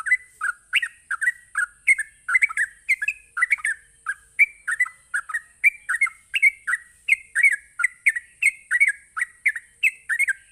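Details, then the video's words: Long unbroken stretch of sooty-headed bulbul 'ropelan' song, a rapid provoking song: bright, bubbly, downward-slurred notes repeated quickly for ten seconds, with a constant high electronic hiss. "Cukup Sekali Pancing Trucuk apapun bakal Nyaut ngropel Emosi dengan suara Ropelan Trucuk ini"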